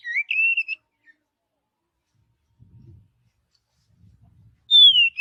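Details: Oriental magpie-robin in natural forest song: short whistled notes at the start, quiet faint low rustling in the middle, then a loud clear descending whistle at the end.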